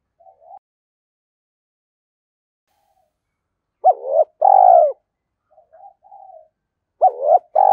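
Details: Spotted dove coo phrases used as a lure: soft faint notes early on, then two strong phrases of a sharp hooked note and a longer falling coo, with quiet murmurs between.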